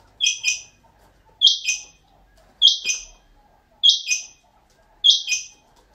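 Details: A kept rain quail gives five sharp, metallic double notes, 'which-which', one about every 1.2 seconds against a quiet background.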